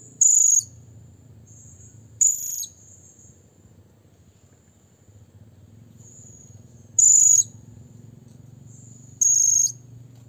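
Blue-crowned hanging parrot calling a rival: four short, very high, shrill squeaky bursts spaced a few seconds apart, with thin faint notes between over a low background hum.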